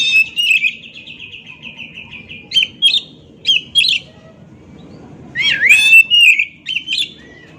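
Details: Oriental magpie-robin song: sweet, bright whistled notes, first a long wavering run of trills, then short sharp phrases in bursts with pauses and a rising, swooping flourish, over a faint low background hum.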